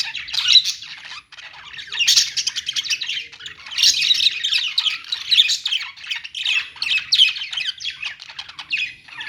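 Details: Pet-store budgerigars chattering and squawking continuously, overlapping scratchy, warbled notes that swell in bursts around two, four and seven seconds.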